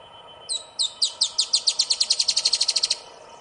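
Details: Dusky-tailed Antbird song recorded at Ferradura, Rio Grande do Sul, Brazil, on 4 October 2016: about twenty high, scratchy notes that start spaced and quickly speed into an even, rapid series lasting under three seconds.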